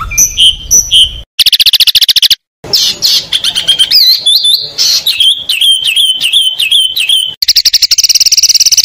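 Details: Oriental magpie-robin kept for song competitions, voicing isian material said to intimidate rivals. Varied high whistled phrases and rapid ticking bursts give way to wavering slurred whistles, ending in a fast buzzy trill.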